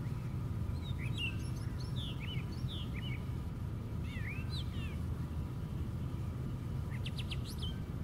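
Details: Brown thrasher perched at the top of a white pine, singing varied swooping whistled phrases, several given twice in a row, ending with a burst of rapid high notes; constant low background rumble.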